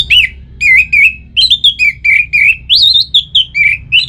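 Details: Orange-headed thrush in full song, used to coax kept birds into singing: a loud, fast, continuous string of varied whistled and warbling notes, some rising, some falling, with barely a pause throughout.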